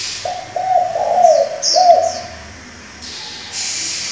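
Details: Low, hoarse cooing phrase from a spotted dove used as a decoy to train young doves: a short opening note, then a longer rolling coo with a dip and a final coo. Thin high chirps from small birds sound above it.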